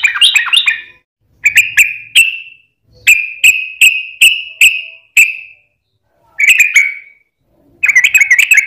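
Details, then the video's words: Sooty-headed bulbul song from a lure track for prompting other bulbuls: a short chattering phrase, then a series of clear separate whistled notes about every third of a second, ending in a renewed warbling burst. "trucukan gacor ROPEL PANJANG buat pancingan trucukan agar bunyi JADIKAN burung trucuk gacor NYAUT"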